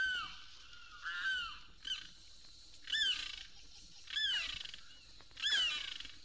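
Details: Limpkin of Florida's cypress swamps and sawgrass marshes, calling by day or night from a 1969 record. It begins with sagging wails, then gives harsher, higher, screeching cries roughly every second and a quarter, sounding like someone in distress.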